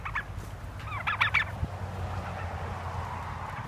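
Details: Heritage turkeys walking with their keepers through pines toward pasture: a short call near the start, then a tight burst of three or four bending yelps, followed by a steady low hum and rustling.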